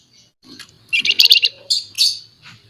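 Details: A talkative, vocal scaly-breasted munia gives a dense run of rapid, sharp, high chirps in the middle, then a second buzzy burst, with faint low murmurs beneath.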